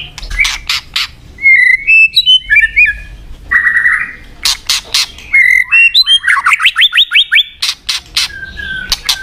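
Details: A white-rumped shama (Copsychus malabaricus) sings a varied run of clear whistles, rising slurred notes and fast trills, broken by harsh clicking squawks.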